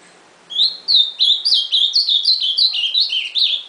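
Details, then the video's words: Ultramarine grosbeak singing a lively phrase: two emphatic opening whistles, then a fast tumbling series of about ten slurred notes, still going at the end. "AZULÃO CANTANDO"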